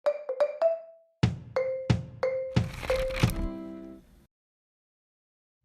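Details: Short marimba-like musical notes struck in a quick rising phrase, then silence, with no animal sounds.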